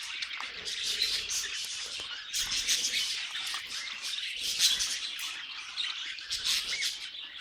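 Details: Singing budgerigars, waves of busy high-pitched warbling and squeaky chirps rising and falling in loudness, with a few brief quieter gaps between bursts.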